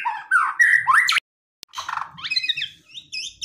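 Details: White-rumped shama in aggressive song meant to provoke a quiet rival into answering: loud slurred whistles rising sharply, a sudden silence, then a busier run of chattering and higher twittered notes.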